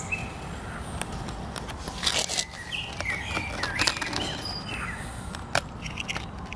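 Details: Common blackbird singing: short, fluty, whistled phrases of varied pitch rise and fall, partly masked by steady low background noise and sharp clicks or rustles.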